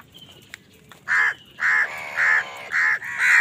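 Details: Five loud, harsh caws spaced about half a second apart from an angry crow squabbling with wild birds over food, after a brief quiet start.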